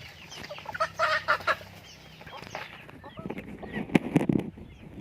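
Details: Pet chickens give a few low, throaty clucks in short bursts, then a softer run of deep clucking. Faint high peeps sound in the background.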